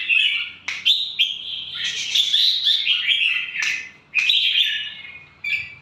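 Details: ['Red-whiskered bulbul kept as a caged pet, an Indonesian fierce-tempered line, delivering chirpy, warbling song phrases broken by quick sharp downward notes, several phrases in close succession.']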